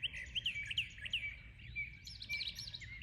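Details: Birds in morning song, giving a steady series of bright, high chirps repeated in quick succession, with a busier cluster of higher twittering notes near the end.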